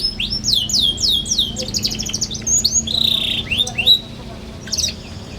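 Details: Young caged canary singing energetically as a teaching lure for other young canaries: a run of fast rising whistled sweeps, then a longer buzzy level note and a few more upslurs before it trails off into quieter chirps.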